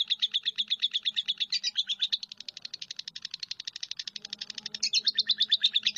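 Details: Lovebird chattering in a rapid, even string of shrill high chirps, about three a second, briefly softening midway before picking up again, with a faint low hum underneath.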